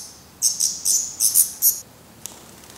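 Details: Black Redstart young at a Portuguese nest, being fed by the adults after their first flight attempts; a short run of about six thin, high, clear calls, then near silence with one faint click.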